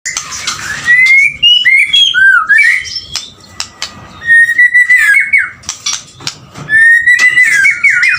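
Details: Male white-rumped shama singing energetically: clear whistled phrases near mid pitch, upward slurs and looping notes, broken by sharp clicks and short pauses, with phrases returning every couple of seconds.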